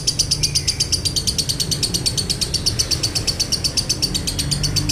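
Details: Lovebird singing in the long 'konslet' style with a dry tone, a lure recording for other lovebirds: unbroken rapid high chatter, about three sharp buzzy pulses per second, running evenly throughout over faint low hum.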